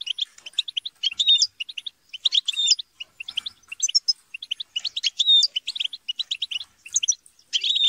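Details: European goldfinches in a group chatter and squabble to stimulate song: clusters of quick liquid twitters separated by short pauses, with rising and falling whistled notes mixed in.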